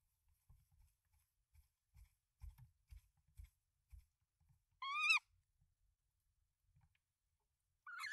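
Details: Tawny owl at a nest in Denmark on 24 March 2024, male delivering rodents to the female with three eggs: a run of low scratching and rustling, then two loud, harmonic, rising-falling calls about three seconds apart.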